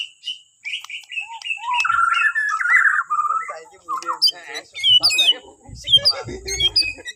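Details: Borneo white-rumped shama singing to prompt other birds to sing in the morning: sweet warbled whistles, then scattered sharp clicks and thin upslurred notes, with faint low noise.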